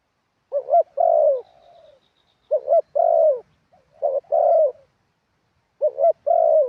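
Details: Decoy spotted dove singing wild-style song: mellow low coos, each opened by a quick doubled note and then a sustained slurred tone, four phrases, sometimes trailed by a quiet fading coo.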